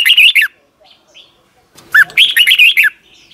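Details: Red-whiskered bulbul, caged, song meant for young birds to copy; two quick phrases of warbling whistled notes separated by over a second of near silence, with faint soft chirps between.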